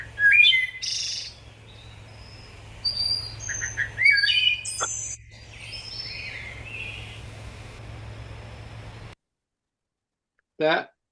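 Wood Thrush song: clear, flutelike phrases with rolling trills, high and liquid, over a steady low hum, then a pause and one quick falling note.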